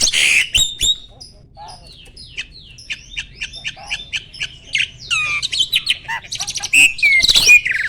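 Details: Mature male Asian pied starling, caged, in peak breeding condition, singing while puffing up: a rapid jumble of harsh chattering notes, clear whistles and squeaky slurred phrases, with loud rasping bursts at the start and end.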